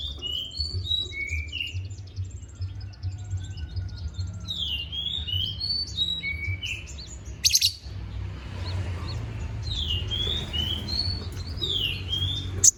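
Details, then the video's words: Konin bird in full voice, a song for teaching magpie-robins: clear whistled notes sliding downward, given in short groups, over a steady low hum, with a brief clatter in the middle. "BURUNG KONIN GACOR NGOBRA FULL ISIAN"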